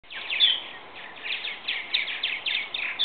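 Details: Young purple martins leaving their nest in a birdhouse, chattering in a steady stream of overlapping, gritty chirps and gurgles, several birds calling at once at a fairly high pitch.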